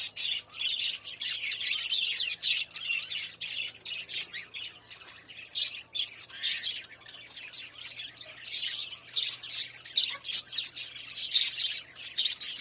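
Budgerigars keep up a dense, scratchy warble of high chirps and squawks during mating.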